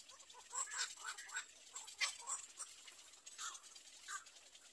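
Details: Young little egrets wait at the nest for their mother, uttering rapid, nasal, chattering calls in clustered bursts with harsh squawks in between. Steady high background hiss.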